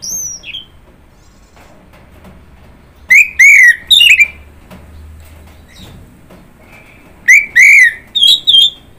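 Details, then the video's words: Orange-headed thrush singing in separate bursts: a high sliding whistle, paired loud slurred whistles, a pause, then further clear whistled phrases. "Kicauan Burung Anis Merah"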